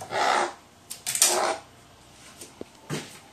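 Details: Crow fussing because it still wants to play although bedtime has come, recorded 22 May 2018: two harsh, raspy, hoarse bursts about a second apart, followed by softer scraping and rustling noises.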